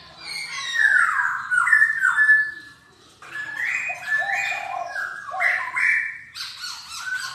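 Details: A silver-eared laughingthrush sings in a room: falling slurred whistles, a short silence, then a busy sequence of stepped, rich warbled notes.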